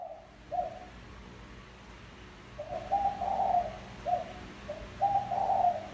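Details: Quieter spotted dove cooing meant to draw in wild doves: short soft notes followed by longer, swelling coos, over a grainy background hiss.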